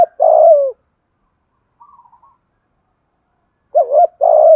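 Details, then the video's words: Spotted dove giving thúc gù cooing in a deep, earthy voice: low mellow coo phrases at the start and end, a faint softer murmur in the middle, long silent gaps between. "Tiếng chim cu gáy thúc gù giọng thổ hay"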